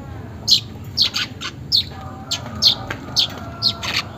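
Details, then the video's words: Weaver calls from lure audio meant to prompt caged birds to sing; sharp, high chirps repeat about every half second, crisp and evenly spaced over a faint low hum. "pancingan manyar bahan agar cepat gacor"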